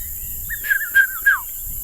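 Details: A migrant Red-chested Cuckoo (piet-my-vrou) on Rietspruit Game Reserve, Lowveld, South Africa, during a summer sunset drive, gives its three-note whistle, two level notes then a slurred falling third, over faint hiss.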